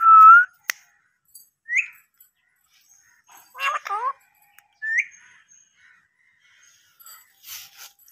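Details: Pet talking parrot giving scattered short whistled notes, one sliding steadily, others rising, plus a brief cluster of harsher rising syllables. Long silent gaps separate the sounds.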